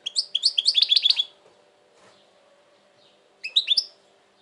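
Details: Goldfinch in 2020, said to be very tense lately: a quick run of bright tinkling chirps, a pause of about two seconds, then another short chirpy phrase.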